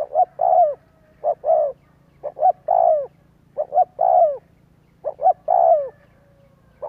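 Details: Decoy coo of spotted dove used to draw other doves into cooing: roughly five phrases of two short notes and a sustained downward-sliding coo, over a faint steady low hum.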